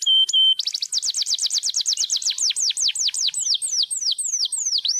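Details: Crested 3-in-1 canary singing vigorously: a short, steady whistle, then a fast run of high, downslurred whistled notes, about eight per second, that slows and drops lower toward the end.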